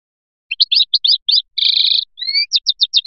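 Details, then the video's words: European goldfinch, Biskra type, in Feliachi song: spaced bright chirps, a half-second buzzy nasal rattle, a thin rising whistle, then quick sharp downslurred notes. "تغريد مقنين بسكرة الفلياشي الرائع"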